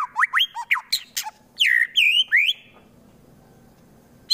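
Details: Harsh provoking song of a white-rumped shama from Wonosobo, Central Java: rapid rising and falling whistled slurs and sharp clicks, then three drawn-out wavering whistles before silence.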